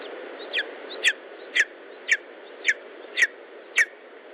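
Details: Lesser spotted eagle calling at the nest in Estonia on a July 2012 morning: a series of seven loud, clipped, falling yelps about every half second, sharp and piercing, over continuous windy hiss.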